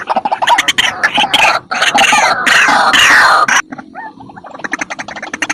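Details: White-breasted waterhen calls used as a lure to trap waterhens: loud, harsh, distorted croaking notes run together in rapid bursts, then quieter, quick pulsed clucking calls repeated in series.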